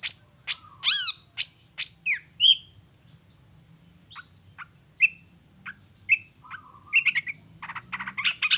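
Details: Long-tailed shrike energetic song used to provoke other shrikes into answering: a burst of sharp, descending squeaky notes, a pause of quieter chirps and short whistles, then a renewed rapid series of scratchy high notes.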